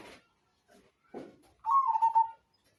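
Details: Zebra dove, Majapahit type, gives one pulsed cooing phrase lasting about three quarters of a second. It begins with a short higher note and falls to a steady rolling coo, after faint knocks and rustling.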